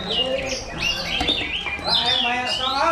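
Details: A first-place Oriental magpie-robin in a bird-singing contest pours out varied, high whistled phrases with rising and falling slurs, over crowd chatter, voices, clapping and music.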